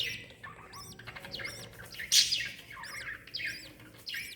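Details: A lovebird mother with chick, 26 December 2021: sharp high chirps spaced roughly every half second, one loud burst midway, faint twittering underneath.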